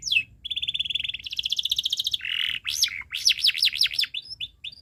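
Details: Tutor song of a canary for young birds learning to sing, with long chirping: rapid even trills of repeated notes, then a buzzy burst, followed by looping rising-and-falling whistles and a few scattered chirps.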